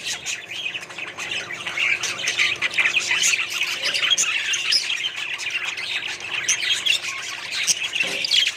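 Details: Several budgerigars in a small colony keep up a constant high chatter of chirps, squeaky whistles and harsh squawks, overlapping without break, with a couple of faint knocks in the background.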